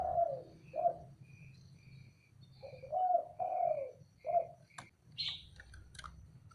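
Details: Male zebra dove giving softer low coos in short repeated bursts, several closely spaced, followed by a few sharp high clicks and a brief chirp.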